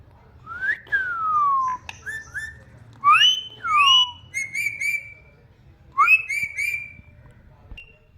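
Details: Ringneck parrot whistling: a rising whistle sliding into a long falling note, then paired rising-and-falling whistles and short level tones, clear and loud indoors over a low hum.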